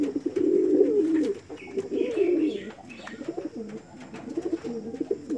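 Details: Reverse-wing Pouter, a domestic fancy pigeon breed, giving low, throaty rolling coos in uneven bursts, with faint higher chirps from other birds in the background.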